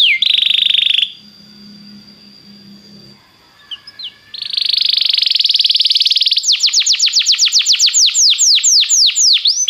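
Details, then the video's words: Belgian canary singing, played to warm up other canaries: a high buzzy trill, a pause, then a long rapid rattle and a fast series of repeated downslurred whistled notes. "canário belga muito lindo cantando, aqueça seu canário imediatamente"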